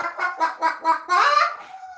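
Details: Pet Moluccan cockatoo indoors giving a happy, joyful chicken-like 'buck buck buck' clucking for its owner during a live stream: five quick rhythmic clucks about a fifth of a second apart, then a longer drawn-out squawk, in a small room.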